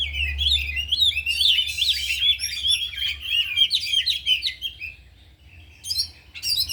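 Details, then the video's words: Oriental magpie-robins, four captive birds at afternoon training, singing isian fill; fast, bright warbling of clear whistles and trills in a continuous stream, pausing briefly before sharp chirps resume. "Latihan Kacer di Sore Hari Biarpun Hanya Burung 4 Tapi Jalan Semua dan Bongkar Isian"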